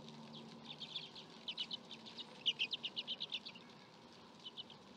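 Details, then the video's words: Common redpoll (Carduelis flammea) recorded in Türkiye, giving a dry, buzzy series of rapid chattering notes, about four per second, high-pitched, with a low steady hum underneath. "Kuzey keten Kuşu Sesi | Kuzey keten Kuşu Ötüşü | Huş isketesi"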